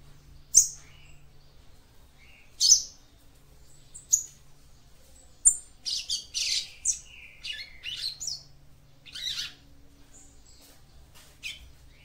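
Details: Female capped seedeater (papa-capim) song meant to stimulate the male: isolated sharp high chips every couple of seconds, then a rapid run of buzzy twittering notes and a few more chips.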